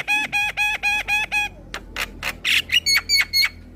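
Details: Javan myna (jalak kebo) chattering song, played as therapy to make stressed, silent mynas sing: six identical harmonic notes repeated rapidly, then varied sharp squawks and whistled notes.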